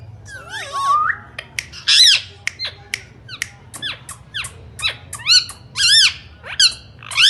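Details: Talking Indian ringneck parakeet producing loud wavering whistles, then repeated shrill chevron-shaped screeches, some doubled, spaced roughly half a second to a second apart over a faint background hum.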